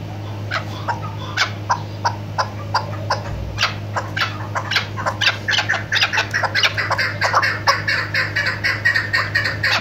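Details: A female chukar partridge used to lure birds for hunting gives rapid, chattering clucks, about two a second, speeding into a dense run of harsh notes, over a steady low hum.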